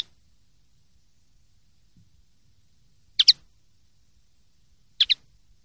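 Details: Common linnet, clean song, 2023/2024 season: after a long silence, two sharp double chirps about two seconds apart, high and bright, with no other sounds.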